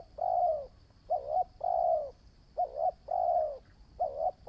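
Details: Spotted dove, a new decoy bird in training, alternates short dipping coos with longer level-then-falling coos at an even, unhurried rhythm, low and mellow, over a faint steady high whine.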